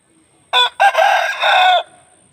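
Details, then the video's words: A single Aseel rooster crowing: a brief opening note, a short break, then a long, strained, harmonic-rich cry held for about a second before breaking off. "Aseel Roosters Crowing"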